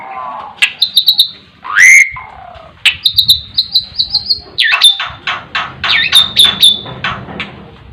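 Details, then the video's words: Asian pied starling in varied song, mixing clear whistles, a loud rising slur, sharp chirps and rapid stuttering notes, delivered in quick irregular bursts with slight low background rumble. "burung jalak suren bisa terkuku"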